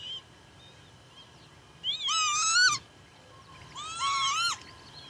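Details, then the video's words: Northern lapwing in Pyarkovichy, Belarus, July 2025: two separated nasal, wheezing calls, the first opening with a rising swoop and ending in a sharp drop, the second shorter and flatter, over a faint steady background hum. "Кнігаўка ці Каня (Northern lapwing) - гукі"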